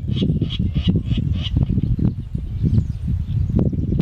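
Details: Virginia rail at QNWR in May 2018 gives five sharp, clipped, high notes about three per second, then falls silent, over heavy low wind rumble.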